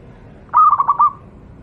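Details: A single phrase of local wild zebra dove song from Java, kept as a tutor sound for training doves: four or five fast, rolling coo notes in under a second after a faint lead-in.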